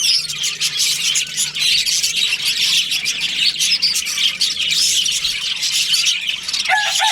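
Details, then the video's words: Budgies kept as a breeding colony during breeding season, a busy chorus of overlapping chirps, squawks and thin whistles, steady and unbroken, with a brief lower squawk near the end. "Cute budgies chirping sounds"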